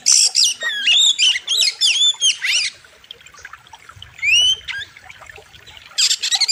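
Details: Oriental magpie-robin (kacer) singing loud and sharp in a training master recording: rapid run of whistled up- and down-slurred notes mixed with harsh buzzy bursts, a pause, then a rising whistle and more buzzy notes.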